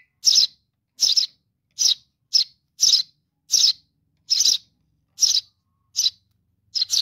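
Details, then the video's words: Baby sparrow calling for mom: ten rasping, buzzy chirps spread evenly over seven seconds, each brief and separated by clean silence. "suara anak burung gereja memanggil induk .baby sparrow calling for mom"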